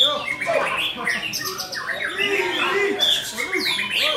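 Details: Murai batu (white-rumped shama) in energetic 'gacor' song: a fast jumble of squawky notes, upward-sweeping whistles and high sharp chips in constant variation.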